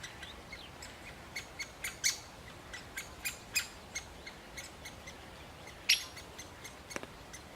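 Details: A male great spotted woodpecker, while feeding a chick, gives sharp, high, clipped 'kik' notes, about two or three a second at an uneven pace, over a faint hiss.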